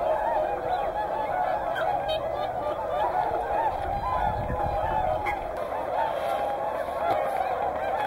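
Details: Mixed flock of whooper and tundra swans at Hyoko, Niigata, keeping up a steady, busy chorus of nasal trumpeting. Some louder, bending notes cut through the continuous honking, and faint voices can be heard.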